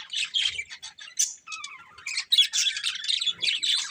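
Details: Colourful breeding pair of budgerigars chirping: dense, scratchy warbled chatter with quick squawky notes and a few short whistled slides, nearly continuous across the clip.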